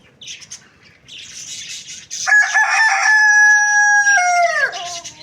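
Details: Morning crow of a rooster: faint chirps and clucks first, then a loud sustained harmonic call with a long level note ending in a falling tail.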